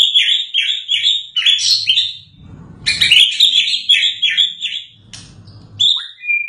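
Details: Post-moult White-rumped shama in full song: rapid bursts of high, bright whistled and chattering notes, briefly pausing, then resuming with a sharp rising whistle at the close.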